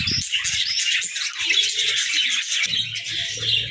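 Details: Budgerigars at play in their hut, a thick chorus of bright warbling chirps and squeaks, and a soft low hum in the background.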